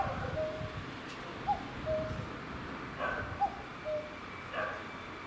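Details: Common cuckoo on a pole by a garden, recorded late May 2021 in the late afternoon. Three two-note falling cuck-oo calls, with soft thumps and background noise between them.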